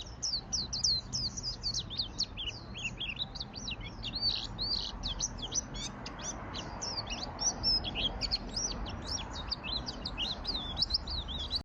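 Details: Dense, fast white-eye song, 'ngalas gacor' style, offered as master song for training birds: a continuous tumble of high, sharp twitters and flicking notes with almost no pauses, low hum underneath.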